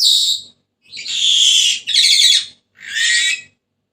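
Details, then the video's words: Senegal parrot uttering four harsh, grating screeches, the middle ones long and ragged, separated by short silences. "تغريد ببغاء السنيغالي the sound of the parrot senegal"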